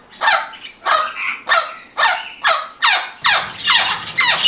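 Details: Australian rainbow lorikeet repeating a harsh, downward-sliding shriek about nine times, roughly two per second. Each note is grating and metallic, with the rhythm staying fairly steady throughout.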